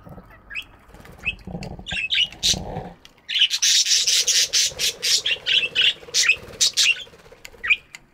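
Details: Morning aviary budgies: faint low rumbling and scattered chirps give way to a dense run of loud, rapid rasping chirps and flapping wings, several per second, then sparser chirps.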